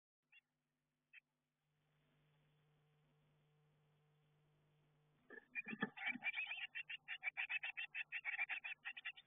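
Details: Inside a garden nestbox, Eurasian blue tit young preparing to leave the nest; a few seconds of near silence with steady hum, then thumps and a fast, regular run of short high chirps.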